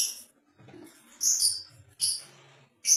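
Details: Red-headed lovebird song made of short, piercing, high squeaky chirps. They come in three or four separate bursts about a second apart, with soft rustling in between.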